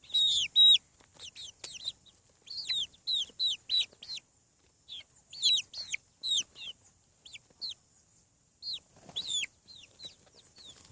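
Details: Chicks hatching on a farm call loudly and clearly: bright, high, falling cheeps in rapid groups of two to four, separated by short silences.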